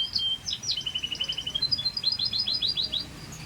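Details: Dense, loud Scotch Fancy canary song, bright chirps running into a rapid even trill of bead-like notes, then a quick series of sharp rising-and-falling whistles.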